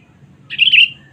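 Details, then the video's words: A single liquid, wavering warble from a sooty-headed bulbul, played as a lure to call rival birds, lasting roughly half a second and trailing into a thin fading note, with soft low rumble underneath. "Pikat Kutilang Cengkram Memanggil Musuh Terkuat Sepanjang Masa"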